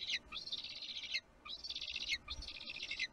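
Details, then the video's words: Bald eagle at a nest in Kisatchie National Forest, 6 April 2022, throwing a temper tantrum over fish that another eagle ate. Loud, high, whistled squealing calls, each about a second long, come in three bursts with brief pauses between them. "Bald Eagle LiveStream 2022 04 06 Kincaid's temper tantrum"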